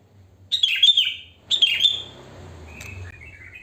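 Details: Wild sooty-headed bulbul, natural song with no learned fill: two rich, bubbling phrases a second apart, followed by softer thin notes over a low background hum.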